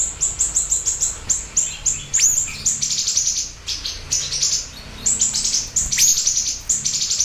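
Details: Siri-siri bird in lively song for luring and tutoring: rapid runs of thin, very high chirps, broken by harsher buzzy bursts and a few sweeping upward notes, then more fast chirping.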